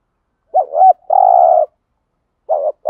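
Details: Spotted dove with thổ-style voice cooing for decoy birds: a wobbling double note and a long level coo, followed by the start of another phrase cut off at the end.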